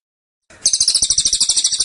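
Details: Caged cililin in dense, insistent 'tembakan' style. After a short silence a burst of shrill, high chirps begins and repeats rapidly, roughly four notes each second, until the end.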